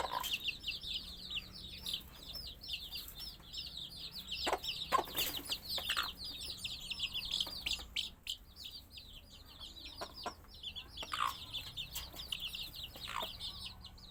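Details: Chorus of baby chicks giving steady, high-pitched peeping chirps, short descending notes tumbling over one another throughout, broken by occasional sharp clicks and soft knocks in the background.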